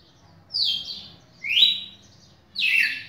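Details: Red-cowled cardinal, a champion singer, recorded 11 May 2019: three bright whistled phrases about a second apart. Each is a strong, slurred note, some falling and one rising, with near-silence between them.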